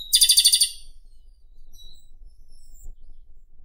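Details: Japanese robin song: a loud, rapid trill of pulsing notes lasting about half a second opens the recording. Only faint, distant high notes and low rumbling background noise follow.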